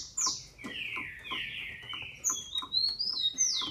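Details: Captive Brazilian female green-winged saltator whose calls are meant to excite males: long drawn-out descending whistles followed by a cluster of short high slurred notes, with faint tapping in the background.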